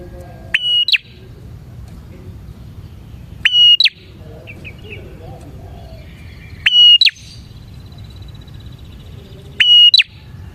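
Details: Bar-winged prinia in full song, used as a lure for catching prinias: four loud click-whistle-drop phrases spaced roughly three seconds apart, with faint chirping from another bird in between.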